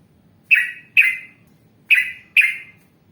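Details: Yellow-vented bulbul, in an Indonesian training recording for cage birds, giving four loud, short, sharply descending chirps in two close pairs, about a second apart, over a faint low hum.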